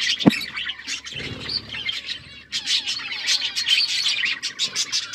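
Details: Budgerigars chirping while eating seeds: dense high twittering chatter, thin overlapping chirps and warbles, with a sharp knock near the start and a short burst of low rustling.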